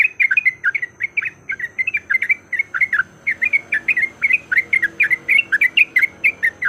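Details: Yellow-vented bulbul fighting song used as a lure to set other bulbuls singing. A dense, rapid run of bubbly, chattering notes, each dropping in pitch, repeats without pause for the whole stretch.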